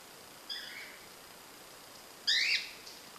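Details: A female lutino cockatiel, preening her feathers, gives two short, bright chirps, the first soft and the second louder and rising.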